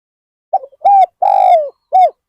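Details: Single cooing phrase from a spotted dove used as a decoy for wild birds at Ban Nong Hin: soft stuttering lead-in, a short coo, a long purring downslurred coo, then a final clipped coo.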